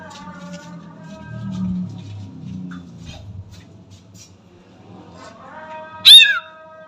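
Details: A sooty-headed bulbul (Pycnonotus aurigaster) imitates a cat with drawn-out, mewing notes, rising near the end into one loud, sharp meow; a low murmur sits underneath.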